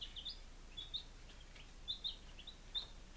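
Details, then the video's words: Chicks on day five in Lunenburg, Massachusetts, 23 July 2017, giving sparse, thin, sharply rising peeps separated by short silences against faint background hiss. "Baby Chickens - Day 05"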